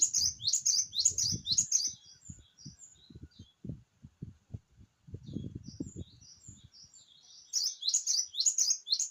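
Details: Actively singing Java sparrow: fast clusters of ringing, high chirps open and close the passage, separated by a quieter stretch of soft tinkling notes and low knocking or rustling sounds.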